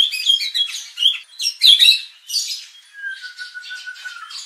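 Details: Shama song used to provoke aggression in competition birds: jumbled, scratchy high notes and whistles, then a long, low, steady whistled tone under softer chatter.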